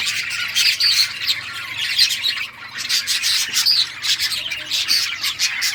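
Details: Playing budgerigars give harsh squawks mixed with quick chirps in uneven bursts, over a faint low hum.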